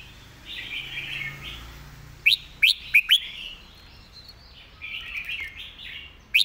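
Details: Red-whiskered bulbul performing a clear teaching song: soft warbled lead-in, then four spaced, sharp, rising whistles, more quiet warbling, and one final bright note.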